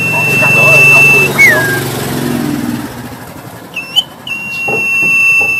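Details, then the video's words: Black-headed sibia, a kept bird, singing persistently while puffing up: a long level clear whistle, then a quick downslurred note, and later more sustained high whistles after short rising notes. Low engine rumble and traffic underneath early on. "Sirtu Kepala Hitam Gacor Sambil Mompa"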